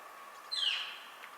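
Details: Northern flicker contact call played back during a talk on woodpecker identification in Washington: a single short, high, descending slurred note over a faint steady background hum.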